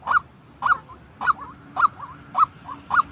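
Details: Real white-breasted waterhen call for training trapping decoys: six loud, harsh nasal notes spaced about half a second apart, each trailed by a quieter gurgling note.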